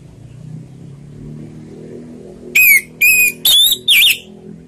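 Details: Orange-headed thrush (anis merah) singing in the slow ngeplong style: after a quiet stretch with low hum, four loud, clear whistled notes come in quick succession, the last two higher and slightly wavering.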